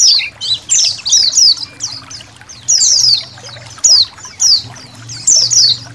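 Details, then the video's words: Indonesian white-eye colony recorded for training songbirds, with trickling water: short bursts of high, slurred, downward twitters separated by brief pauses, with a low steady hum beneath. "MASTERAN BURUNG PLECI KOLONI"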